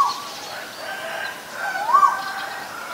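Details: Male Asian koel calling: a single clear whistled note sweeping upward near the end, preceded by faint, soft tonal sounds over a quiet, steady background hiss.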